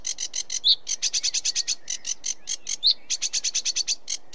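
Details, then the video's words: Sedge warbler churring in quick, scratchy repeated notes, with two sharp whistled accents dropped into the steady run of chatter. "Sedge Warbler Bird Call Bird Song"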